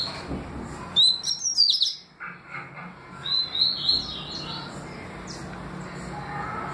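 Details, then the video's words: Double-collared seedeater singing in the song styles known as tui tui and deputado: a quick burst of high, sharp whistled notes with rising slurs, a pause, then another run of bright chirped notes over a low background hum. "Papa capim tui tui canto e deputado canto"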